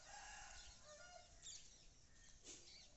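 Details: Several birds chirp in the morning in a faint, overlapping chorus of short high notes and a few lower drawn-out calls, set against a steady background hiss.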